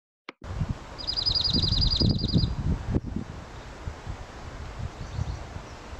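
A junco gives a fast, high, even trill of rapid chips lasting about a second and a half, like tiny laughter, over soft rustling and low background rumble.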